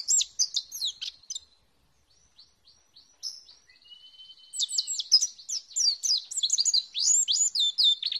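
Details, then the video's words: Lure song of an Oriental white-eye for lovebirds reluctant to sing. A burst of high twittering, then a quiet stretch with soft chips and a thin sustained whistle, then dense, excited chattering to the end. "Suara pancingan pleci macet bunyi"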